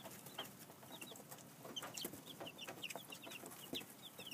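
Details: Several two-week-old chicks in a temporary outside pen with a cardboard box for shelter; rapid high chirps, some rising and some falling, overlapping almost continuously alongside soft taps and rustling.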